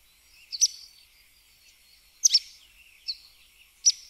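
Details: Sooty tyrannulet (Serpophaga nigricans) song of four sharp, high, clipped notes, some given as quick doublets, spaced unevenly over four seconds against a quiet background with faint high tones.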